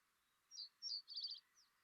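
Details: Reed Bunting song played back at a Dublin birdsong talk, quiet recording: a hesitant, very simple phrase of short high notes, two brief chirps then a quick buzzy trill and a faint final note, likened to 'one two check check'.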